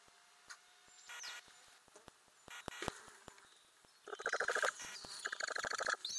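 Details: Inside a Ural owl nest box with owlets, filmed in May 2020; scattered clicks and scrapes, then a fast chittering series of short pulses, many per second, for about two seconds, followed by a brief hiss.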